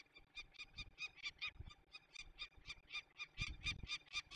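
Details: Peregrine falcon calls recorded 27 May 2020 at a release of young birds in Poland's Barycz Valley: a continuous string of grating, repeated notes, about two to three per second, with low thumps beneath.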